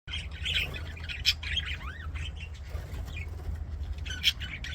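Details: Budgerigars singing and playing in an aviary: scattered chirps and short warbles with a few rising whistled notes, separated by pauses, over a steady low hum.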